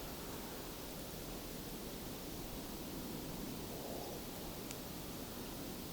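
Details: Even, hissing broadband outdoor noise like wind or distant water runs throughout with no clear animal calls.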